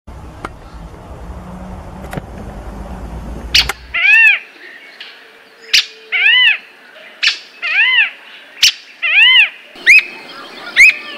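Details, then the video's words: Squirrel cuckoo (Piaya cayana) singing a series of cat-like, arched notes that rise then fall, roughly one per second after a few seconds of low hum, with sharp clicks between. "Alma de Gato e Seu Canto"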